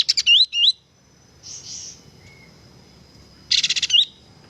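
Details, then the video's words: Light-vented bulbul singing for tutoring: a quick string of looping whistled notes, a pause with a soft hiss and a faint thin whistle, then a burst of rapid buzzy notes ending in a rising whistle. "masteran handal suara burung kapas tembak gacor"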